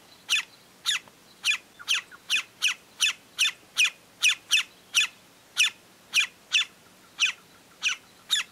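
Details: Sharp, clipped high notes repeated about eighteen times at a quick, slightly uneven pace from a Greyish saltator (Saltator coerulescens) feeding in Esperanza, Santa Fe, Argentina, 2022.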